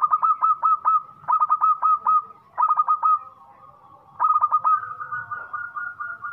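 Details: Zebra dove, a local perkutut, in full song with a loud voice: quick strings of rolling, hollow coo notes in phrases about every second, ending in a longer, level coo.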